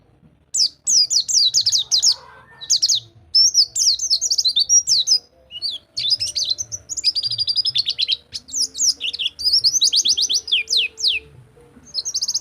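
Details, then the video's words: A white-eye sings in the rol tembak style on a tutoring recording for non-singing white-eyes. Long, dense chattering trills and rolls of high notes run almost continuously, broken by brief pauses and varied twittering phrases. "Masteran Pleci Rol Tembak Untuk Pleci Macet Bunyi"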